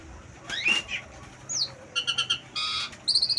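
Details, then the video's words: Asian pied starling perched on a house terrace, singing with imitated wild-bird phrases: a rising whistle, a high slurred note, then rapid buzzy trills and stuttering high chips in quick succession. "Jalak suren penunggu teras rumah !!berkicau dengan materi burung liar"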